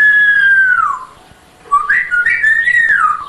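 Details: A talking African grey parrot, hatched 10 January 2000, imitating sounds: a long smooth whistle falling in pitch, a pause, then warbling whistles rising and dipping.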